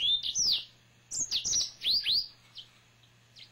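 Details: A pet male yellow-fronted canary sings loud, clear whistled phrases that sweep up and down, some curving arcs repeated in quick succession, ending with softer single notes.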